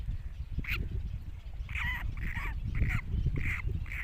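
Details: Great cormorant chicks calling with repeated squeaky, slightly rasping notes about every half second, some rising then dropping, over constant low-pitched rumbling noise.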